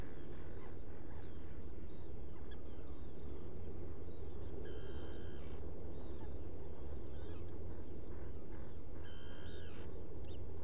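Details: Black guillemot at its nest burrow, Seal Island NWR, Maine, on a burrow camera, 30 June 2018 around 2 a.m.: two flat, rich-toned harmonic calls about four seconds apart, each lasting half a second, amid constant low roaring noise.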